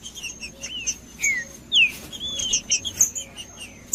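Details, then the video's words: Green-winged saltator song for stimulating a cold captive bird: spaced, ringing whistles, some falling and one long level note, separated by soft high chirps and a steady faint high tone. "ESQUENTAR TRINCA FERRO FRIO COM TRINCA FERRO CANTANDO"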